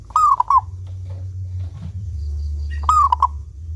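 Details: Local zebra dove singing clearly, a lure for getting doves to call: two cooing phrases under three seconds apart, each a sustained note and quick lower coos, over a steady low rumbling hum.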